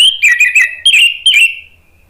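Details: Orange-headed thrush, Indonesian cage bird, singing a lure phrase for other thrushes; rapid warbled notes followed by two descending whistles that fade out.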